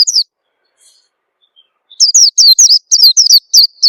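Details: Oriental white-eye lure call used so birds start singing: a brief high chirp, a quiet gap, then a steady rapid series of thin down-slurred notes to the end.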